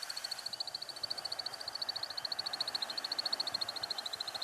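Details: American Woodcock display-flight wing twittering, made by specially shaped slotted primary feathers: a rapid, steady stream of thin, high chips, several each second, over a soft background hiss.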